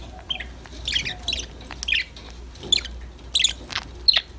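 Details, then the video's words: Budgerigars chirping at play, scattered short sharp chirps and brief chattering bursts roughly every half second over a quiet background with low hum. "Your #budgies will start chirping, talking, playing after listening these #parrot #bird sound"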